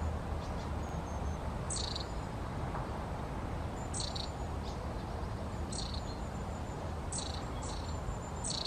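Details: Short, sharp stacked calls from a long-tailed tit, repeated roughly every one to two seconds, mixed with faint thin high notes, over a constant low-pitched background hum.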